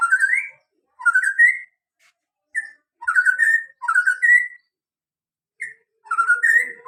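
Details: Song of a white-rumped shama in Bodas village, Karangjati, Rembang, Purbalingga, Central Java: short bright whistled phrases, each sliding upward, delivered in bursts about every second with brief silences between.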